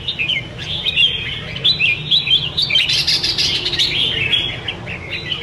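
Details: Pair of caged red-whiskered bulbuls in full song: dense overlapping warbles and bubbly chattering notes, loud and continuous, with low background noise.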